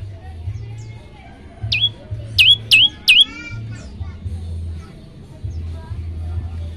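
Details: Olive-backed tailorbird tutor song meant to set other birds singing: one note, then three loud, high notes that dip and rise again, amid faint chirping and a steady low hum.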